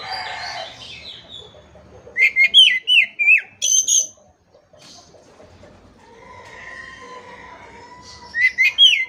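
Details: Oriental magpie-robin (kacer) song meant to make silent birds reply: after a faint start, a run of six loud whistled notes dipping in pitch with high chips between them, a quiet stretch, then another whistled burst.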